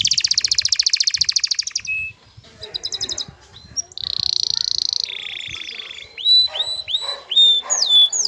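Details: Courting male canary with female call: fast trill, scattered chips, buzzy rattles, then clear upslurred whistles with soft background noise.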